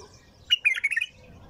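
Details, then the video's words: One quick bulbul phrase from a nonstop song, a rapid cascade of warbled, slightly throaty notes lasting about half a second. "تغريد بلبل طور بدون توقف"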